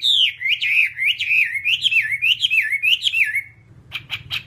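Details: Whambie song: a continuous wavering whistled phrase of rapidly rising and falling notes lasting over three seconds, followed by a few short sharp clicks.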